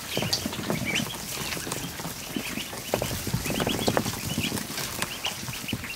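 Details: A kiddie pool in a barn full of newly hatched ducklings, 109 in all, gives a busy wash of thin, high peeps repeated rapidly, with lower splashing and dabbling noises beneath.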